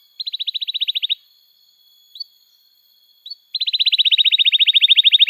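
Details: Canary song used to coax and teach young canaries to sing: a fast trill of clean repeated notes, a pause with two short upslurred chirps, then a longer, louder trill rolling on steadily to the end.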